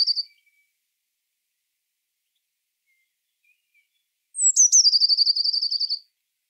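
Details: Song of a Eurasian blue tit, a small forest bird of woods, parks and gardens: a brief high note, a long pause, then a high sliding introduction into a rapid even trill lasting nearly two seconds.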